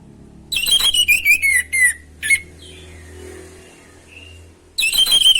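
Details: Orange-headed thrush in loud, active song, delivering rich descending whistles laced with rapid high twittering notes, pausing briefly, then starting another vigorous phrase; faint low hum beneath.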